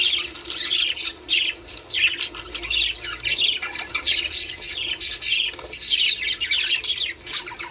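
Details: Budgerigars' warbling song, played to encourage the birds to mate: dense, continuous high chattering of squawks, chirps and trills in quick bursts, overlapping and nearly without pause.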